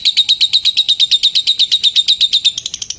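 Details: Lovebird calling a rival in a long ngekek trill, a sound said to set other lovebirds off: rapid, even run of high, sharp chattering notes, about three per second, steady throughout and tapering slightly at the end.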